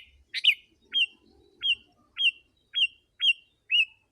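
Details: Sooty-headed bulbul in dense song used to draw in wild birds: crisp, sharply hooked whistled notes repeated roughly every half second after an opening harsh buzzy chatter, with slight low murmur behind.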